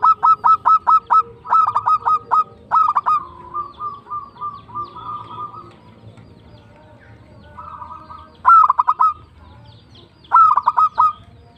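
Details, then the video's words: Local zebra dove in full song, tumbak cucukan style: loud bursts of four to six rapid, clipped coo notes repeated several times, between softer rolling trills from other doves in the background. "PERKUTUT LOKAL GACOR TUMBAK CUCUKAN ASLI"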